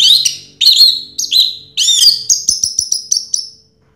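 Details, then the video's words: First-prize 2022 champion orange-headed thrush singing: rich, slurred high whistles, then a quick descending string of short, clipped chirps that fades out. "Suara Burung Anis Merah Juara Pertama Tahun 2022"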